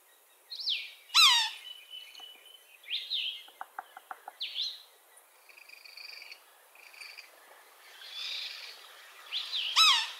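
Red-naped sapsucker giving nasal, squealing mews that slur downward, roughly every two seconds, with a brief run of dry taps and faint songbirds behind.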